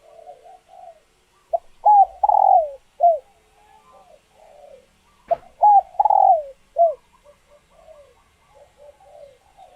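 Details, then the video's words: Female spotted doves in laying condition, kept birds, calling to stimulate males to coo back and court; soft low coos build into two loud bursts of rich, falling coos about four seconds apart, quiet background. "Tiếng Chim Cu Gáy Mái Chuẩn Kích Trống"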